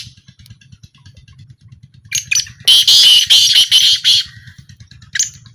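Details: After a quiet start, a black francolin at a calling trial bursts into one loud, grating, buzzy phrase of about two seconds. A faint low pulsing hum runs before and after.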